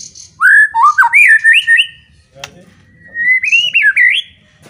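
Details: White-rumped shama, loud song said to provoke rival shamas to fight; rich, loud whistled phrases sliding up and down, a pause, then another long warbling whistle, with a low hum behind.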